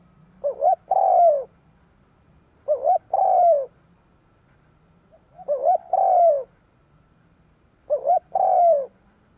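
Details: Spotted dove decoy cooing to rouse wild doves: four even phrases, each a quick double coo and then a longer sliding coo, repeated about every two and a half seconds, over a faint low hum.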